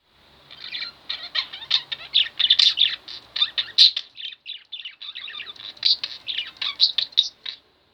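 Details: Two pet budgerigars kept at home chatter in dense, rapid chirps and warbles, a busy run of short high notes with a brief pause near the middle before the chattering resumes.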